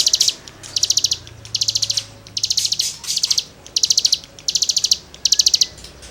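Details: Cigun in full song for tutoring songbirds: short, high, dense bursts of rapid ticking chirps, about seven bursts evenly spaced under a second apart, with faint background noise.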